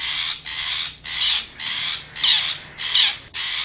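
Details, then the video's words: Long-tailed shrike, wild forest bird, in a lure recording for attracting wild shrikes: seven rasping, scratchy screeches of about half a second each, evenly spaced, with a brief thin whistle inside two of them. "suara pikat burung cendet hutan"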